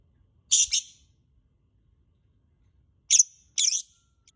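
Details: Lovebird calls used as a singing lure: a loud double rasping screech, a long silence, then two more harsh, buzzy, high-pitched screeches close together and a faint final tick.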